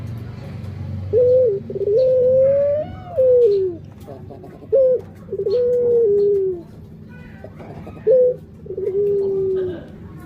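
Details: Barbary dove, described as playful and nudging its mate like a person would, repeating three coo phrases about every three seconds, each opening with a short abrupt note and then a long coo that rises slightly before sliding downward.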